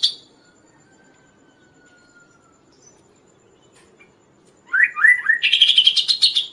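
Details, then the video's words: Kaso-kaso bird singing for training and luring: after a long quiet stretch with a faint thin whistle, a sudden loud run of rising slurred notes breaks into a fast buzzy chatter. "suara Burung Kaso-Kaso gacor|| masteran dan raja pikat burung lain"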